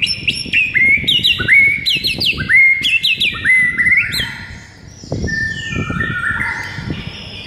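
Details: Energetic morning masteran song of a White-rumped shama: rapid run of upslurred whistles repeated about three times a second, then softer drawn-out whistled tones after a brief lull.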